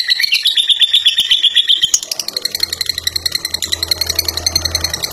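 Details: Caged fighter lovebird performing a long ngekek song, strident high chattering with a brief upward jump in pitch, then regular rapid pulses continuing; faint low hum underneath.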